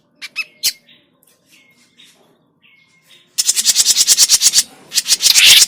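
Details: Trapping lure of grey-cheeked bulbul, noisy: scattered short notes and a thin whistle, then a loud, fast, harsh chatter filling the last two seconds.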